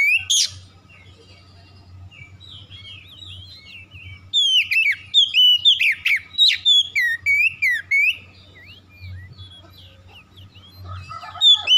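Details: Song of an oriental magpie-robin meant to provoke birds into aggressive singing: an opening sharp note, a long quiet gap, then a fast run of loud curving whistles and high chips, ending in another burst.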